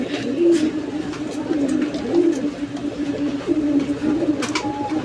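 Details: A pair of running Bombay domestic pigeons on a farm, said to call very nicely with a call quality unlike the others. Low, rolling coos are repeated through the clip over a steady indoor hum.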